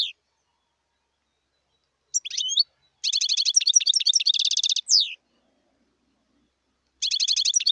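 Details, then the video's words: Wild European goldfinch singing sustained stretches of fast, buzzy twitter with interspersed liquid sweeping notes, a pause, then another rapid trilled run starting near the end. "صوت الحسون البري"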